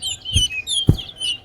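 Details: At a bird singing competition at the Lusignan bird ground, a chestnut-bellied seed-finch (towa towa) sings a quick, sweet warbling run of high twittering notes, broken by two dull low thumps; Chestnut-bellied seed finch.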